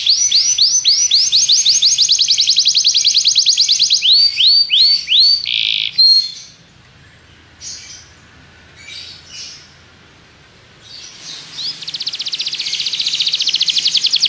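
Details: Belgian canary song used in training other canaries: rapid high trills changing into slower looping swoops, a pause of about five seconds with a few faint chirps, then a fresh high fast trill.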